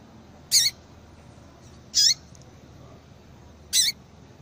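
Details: A female Yellow-bellied seedeater's call, used to stimulate a male to sing: three strong, high, buzzy notes roughly one and a half seconds apart, each ending with a lower faint tail.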